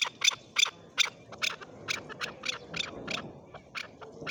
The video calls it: Male chukar calling